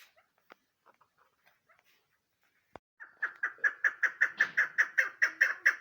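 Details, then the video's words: Female chukar partridge, described as a hunting bird: after three seconds of faint ticks and a sharp click, a rapid series of loud, harsh chucking notes begins and repeats about two and a half times per second, growing steadily stronger. "my bast shikari madi mast awaz sound birds keklik sesi awas sound"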